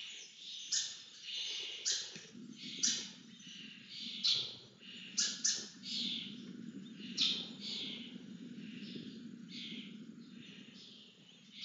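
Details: Lesser kestrels being fed, uttering loud, separate harsh squealing begging calls in quick irregular series, about a dozen clear calls, over a soft low rumble.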